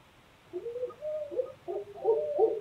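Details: Wild owls calling at night in New Hampshire: a string of low, hollow hooting notes, some wavering and slurred, coming in uneven bursts over a quiet background.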